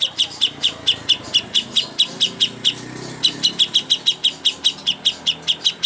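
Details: Contest master song of a cucak hijau: quick run of high, sharp chirps repeating several times a second, briefly interrupted midway by a soft murmur, then resuming in an even rhythm.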